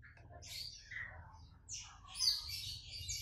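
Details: Purple-throated sunbird in excited, provoked song: rapid, high, scratchy chatter and thin sibilant bursts laced with mimicry, including golden grasshopper (belalang emas) imitation, over a faint low hum.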